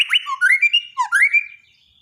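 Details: Borneo white-rumped shama singing a daily training song for shamas gone quiet: a short phrase of sliding whistles, dipping then rising, with a buzzy note between and a soft fading tail.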